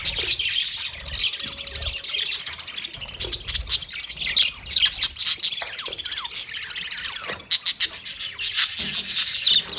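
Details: Busy budgerigar colony of 30 pairs, steady high-pitched warbling chatter from many birds at once, punctuated by sharp clicking chirps, especially near the end.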